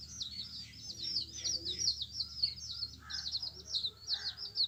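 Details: Little yellow chicks peep continuously, high, thin, slightly trilled chirps running together in an unbroken twitter, with two softer, lower calls near the end.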